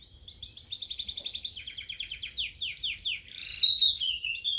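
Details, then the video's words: Sulingan laut or tledekan laut, kept in a cage for three days and now singing openly, pours out a rapid series of clear downslurred whistles, then shifts into lower sliding notes and ends with bright high twittering. "Baru Dirawat 3 Hari Sudah Mau Ngeplong🥰🥰🥰 Burung Sulingan Laut/Tledekan Laut"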